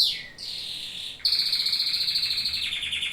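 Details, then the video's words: Domestic canary singing: a high whistled phrase slides downward, then a long rapid rolling trill of evenly pulsed notes holds high, buzzy and bright, dropping slightly near the end. "Canto do CANÁRIO DOMÉSTICO"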